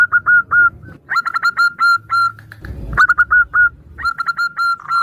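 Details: A female zebra dove calls the male while other local doves answer, recorded as a lure: bursts of short, clipped cooing notes on a steady pitch, broken by pauses and a low thump.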